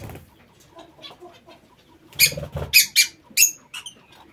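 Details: Lovebirds in a home aviary, a short run of loud harsh screeches and chirps clustered in the second half, several quick notes of varying pitch, after a quieter stretch of rustling.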